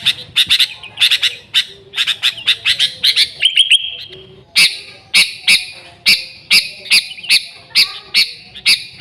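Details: Pure, lively song of a Sooty-headed bulbul for luring bulbuls: dense fast chirping, a held high whistle near the middle, then evenly spaced sharp chirps roughly twice a second.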